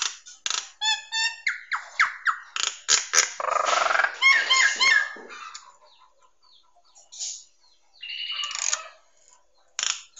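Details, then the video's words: ['Nias hill myna tutor song for training songbirds: a lively burst of varied whistles, clicks and chattering notes for about five seconds, then quieter scattered whistles after a pause.'] "Masteran Terbaik Jalak Nias"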